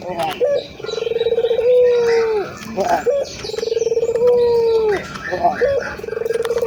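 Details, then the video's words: Ringed turtle dove of a local strain, heard cooing steadily to spur other doves to call. Each phrase opens with a brief note and a purring tremolo, then holds a long level coo that falls away. It repeats roughly every two and a half seconds. "Suara Burung Puter Gacor , merangsang burung puter agar cepat bunyi"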